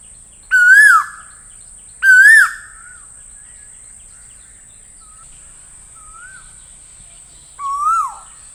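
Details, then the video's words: An Asian koel gives loud, ringing, upslurred notes. Two come close together, then softer notes follow before a final one. A thin, steady high hiss runs throughout. "Asian Koel Master Sound - Asian Koel Sound Effect"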